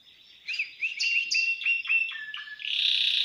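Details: Timbrado canary singing in an aviary: a series of quick, metallic trilled phrases, each a rapid string of notes stepping down in pitch, ending in a dense, buzzy rolling trill.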